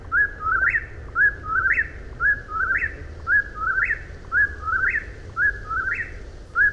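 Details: Eastern whip-poor-will repeating its whistled song, each phrase climbing to a sharp upward flick, delivered roughly every second, about six phrases, with faint low background rumble.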